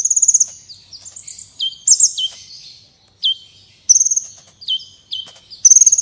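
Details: Kolibri wulung sunbird, a prize-winning, lively songster recorded as training material for contest birds: irregular very high trills mixed with quick descending slurred notes, a few phrases separated by brief pauses.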